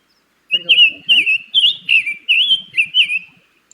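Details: A Summer Tanager, a summer migrant nesting in North Carolina, sings a clear, robin-like series of about seven sweet, slurred whistled phrases, quick and evenly spaced, with faint low background noise.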